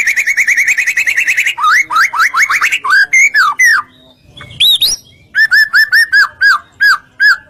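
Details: White-rumped shama song played to provoke other shamas into singing; a sustained buzzy trill, then varied whistled slurs rising and falling, and a run of repeated looping whistles.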